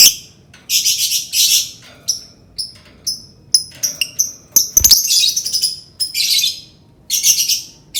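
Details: Lovebird provoking sound: repeated bursts of shrill, buzzy high chatter alternating with thin whistled squeaks, almost continuous throughout.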